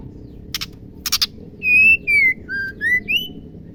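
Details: Female White-rumped Shama heard to encourage males to sing: two brief harsh rattling bursts, then a pure whistled phrase of five notes, the first long and level, the middle lower, ending on a rising note.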